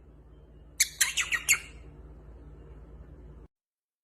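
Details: Parrot letting out a quick burst of five harsh, raspy chirps within under a second, then falling silent over a low background hum.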